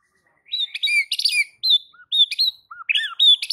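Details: White-rumped shama singing to draw other shamas into song: high, squeaky chirps and sharp whistled phrases in quick bursts, interspersed with a few lower, softer notes.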